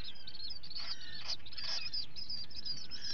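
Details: Common murre (guillemot) chick calling at breakfast feeding time on 11 July 2020: shrill, high peeping notes repeated rapidly over a steady low rumble of wind and sea.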